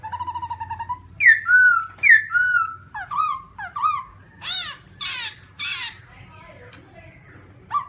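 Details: Black-throated laughingthrush (Garrulax chinensis) opening with a rapid buzzy trill, then loud slurred whistles, falling notes and harsh rasping squawks before going quiet.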